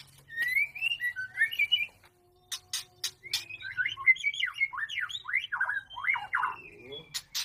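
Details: White-rumped shama during mating, singing quick whistled phrases then a dense run of rapid slurred, jumping notes, punctuated by sharp clicks.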